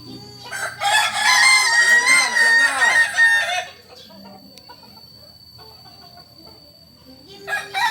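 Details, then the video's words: A purebred Solok Kukuak Balenggek chicken delivers one loud, continuous crow lasting about three seconds, rich and buzzy with wavering pitch. Near silence follows before a new crow starts at the end. "Ayam kukuak balenggek asli solok"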